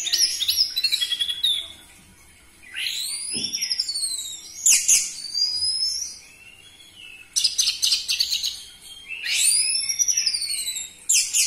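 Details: Loud orange-headed thrush recorded as a lure for captive birds: rich bursts of high, arching whistled notes and rapid rattling trills, repeated in several phrases with short pauses between.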